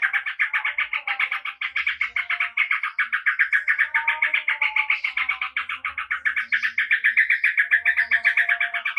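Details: Yellow-vented bulbul, a bird of the wild in Java, in lively continuous song: a fast rolling stream of bright chattering notes, about four a second, steady throughout, with faint lower whistles in the background.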